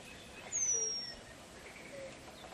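A Eurasian penduline tit gives one thin, very high, drawn-out whistle that slides slightly downward over about half a second. Soft outdoor background hiss is heard.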